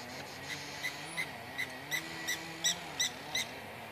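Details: Upset lapwing calling near its nest and chick as a walker on a path approaches: sharp, metallic clinking notes, about ten, repeated roughly every 0.4 seconds, over a faint low hum.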